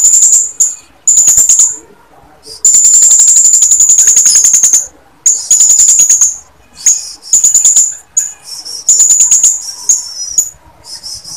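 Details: Female blue-crowned hanging parrot calling to males, in a recording used to coax males into singing. Very high, thin, buzzy trills sit in bursts of one to two seconds. Sharp ticking notes and short pauses separate the bursts.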